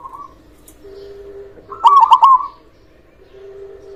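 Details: Local zebra dove: a brief soft trill, then one loud stuttered phrase of three rolling notes, with a faint steady hum behind.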